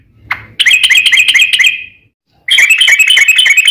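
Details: Fighting song of a sooty-headed bulbul, played to lure other bulbuls into singing: one sharp note, then long rapid trills of quick chattering notes with a short pause between two runs.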